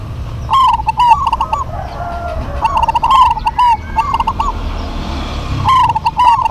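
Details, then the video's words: Local Zebra doves sing a spirited duet of rolling, gurgling coo phrases, with short stuttering notes before trilled endings. Three bursts come in quick succession, with crackly distortion on the louder notes and a steady low hum beneath. "DUET PERKUTUT LOKAL GACOR PALING RAME PASTI SEMUA NYAUT"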